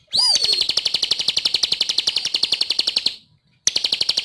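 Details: Lively bar-winged prinia: a downslurred whistle leads into a quick train of high, dry, regularly spaced ticks that fades away, followed after a pause by the next phrase beginning.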